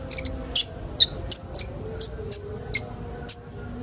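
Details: Sunbird, played to get young birds singing: sharp, high chips and short whistled notes at about one per second, irregular, some dropping slightly in pitch, over a faint low hum.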